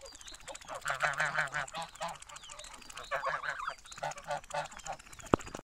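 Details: Domestic geese recorded in Büsum, Dithmarschen, Germany, in 2015: loud nasal honks delivered in rapid runs of four to six, a first burst near the start and a second a few seconds later, ending with a sharp click.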